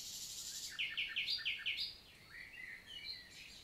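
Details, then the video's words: Common nightingale (Luscinia megarhynchos) singing in the summer morning in countryside forest, La Vallée du Célé, Lot, south of France, 11 June 2023: a run of five or six loud, evenly repeated sharp notes, then softer varied twittering phrases. "NIGHTINGALE MORNING SONG"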